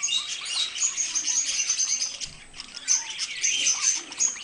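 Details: Pet budgies, a pair, with dense high-pitched twittering and thin whistled notes, a brief dip in the chatter midway, then more scratchy warbling.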